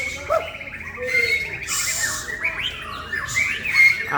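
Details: Caged male white-rumped shama in Indonesia, a hobby songbird, sings rapid chattering phrases with bright whistled notes and short buzzy trills. Loud bursts of higher, hissy notes break in, and a man talks nearby.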